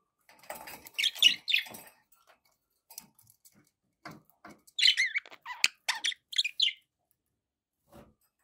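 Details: Budgies producing squeaky, scratchy chirps in two clusters with soft rustling and clicks between them, ending in near silence.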